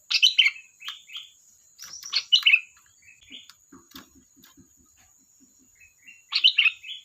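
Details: Chattering song of a sooty-headed bulbul: rapid bubbly bursts of bright slurred notes, a pause with faint low knocking sounds, then another lively warbled burst.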